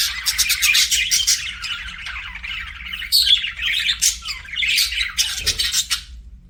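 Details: Pet budgies chattering in a dense run of buzzy chirps and clicks, a sharp whistled note near the middle, then the warbling resumes in short bursts.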